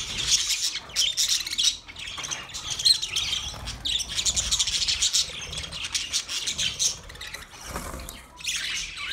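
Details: Flock of budgerigars, twenty pairs, chirping in a busy, overlapping chorus of high twittering and buzzy chatter that dips briefly around the two-second mark and again near the end.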